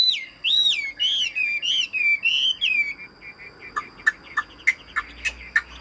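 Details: Caged Chinese hwamei giving a series of long, clear, wavering whistles, followed by shorter sharp notes repeated about every half second amid light background noise.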